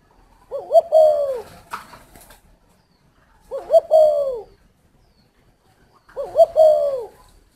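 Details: Spotted dove at a breeding garden in Ba Vì, Hanoi, Vietnam, repeating its low cooing phrase three times about every three seconds, each a warbled double note and a falling coo; a brief flutter of wings follows the first.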